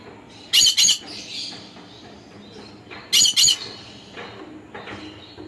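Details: Conure giving harsh, loud, high-pitched squawks in two quick double bursts about two and a half seconds apart, with softer chirps between and a quiet background.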